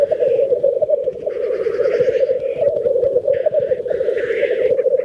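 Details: Black grouse at a lek in Teesdale, North Pennines, UK: displaying males give a steady, low bubbling coo throughout their mating display, broken by harsh hissing sneezes.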